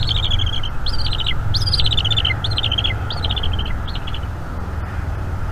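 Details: Bald eagle chick at a northeast Florida nest cam, 5 May 2021 in the evening, begging while its mother feeds it squirrel. It makes a series of high, quickly pulsed chatters that each drop at the end, about three per second, over a low steady hum.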